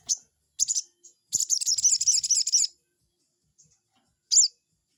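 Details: Lure sound of a crested jay to rile a rival: short high chips, then a long, rapid, high-pitched rattle of about a second and a half, ending with a single sharp downslurred note.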